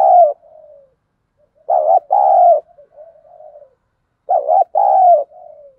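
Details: Spotted dove used as a decoy to stir wild birds to fight, giving two loud double coos about two and a half seconds apart, each followed by a soft trailing, falling coo.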